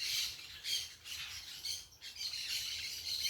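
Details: Noisy parakeets in nature: continuous overlapping shrill, buzzy squawks, roughly two bursts per second, with a brief dip in the chatter midway.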